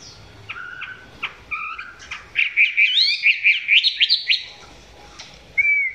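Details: Chinese hwamei filmed close, singing below full intensity: scattered short notes build into a fast cascade of varied, looping whistles, ending with one clear whistle.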